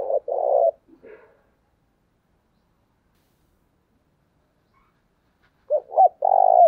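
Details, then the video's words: Spotted dove decoy bird calling to lure wild doves: a short phrase of low, mellow coos, two or three notes, a pause of several seconds, then another soft cooing phrase, in a quiet background. "Chim Cu Mồi Gáy Gọi Tới Bến, Bổi nghe nhanh nổi"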